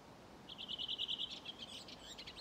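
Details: One Redwing dialect phrase, recorded 5 June 2023 along the Ljustorpsån by a gravel pit in Timrå, Sweden: about a dozen quick, ringing high notes in an even stream, followed by a faint, scratchy twitter.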